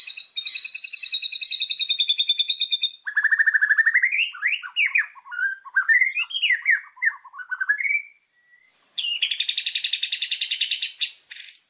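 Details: Fired-up White-rumped shama song, a master recording rich in fill-in phrases for training birds: a fast buzzy high trill, then a run of varied whistled swoops and slurs, a brief pause, and another rapid buzzy trill.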